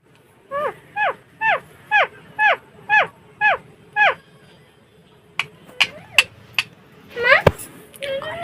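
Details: Indian Alexandrine parakeet giving a series of eight descending, harmonic whistled notes about twice a second, then sharper high squeaks and a harsh squawk near the end.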